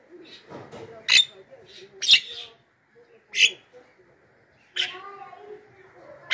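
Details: Javan myna giving a loud lure call used to draw in wild mynas: a few harsh, rasping bursts spaced about a second apart, separated by near-silence and soft low murmurs.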